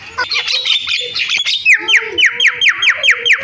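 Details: Javan myna song with variations: noisy chatter gives way to a steady train of about ten sharp, rasping downslurred notes, each roughly a third of a second apart.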